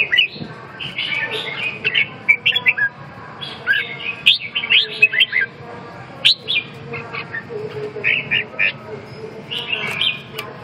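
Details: Chirping phrases from a red-whiskered bulbul, clusters of quick warbled notes separated by pauses, with low rumbling background noise.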